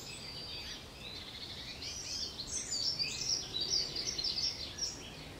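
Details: Eurasian blue tits recorded on 6 June 2021: a busy run of thin, high, quick notes and twittering, overlapping and irregular, over a steady background hiss.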